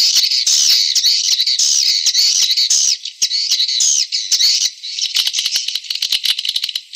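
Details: Swiftlet lure calls for attracting swiftlets. A loud, steady, buzzy high twitter with looping chirps fades into a scatter of fast clicks toward the end.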